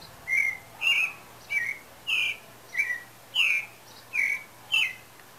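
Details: Pale-breasted thrush (Turdus leucomelas) singing as breeding season is thought to approach: clear whistled phrases, about eight short warbling notes in five seconds alternating higher and lower, over a faint low hum.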